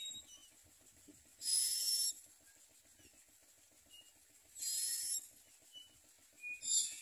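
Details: Common myna chicks in the nest, mouths gaping wide as they beg to be fed, give harsh, hissing, raspy bursts about half a second long, two loud bursts three seconds apart and a third starting at the end, with faint thin whistles between.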